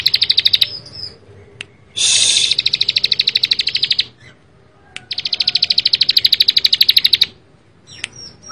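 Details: Bar-winged prinia in full, dense song: long runs of fast, evenly spaced high chips, about a dozen per second, in bursts of one to two seconds, separated by short pauses and a few sharp clicks.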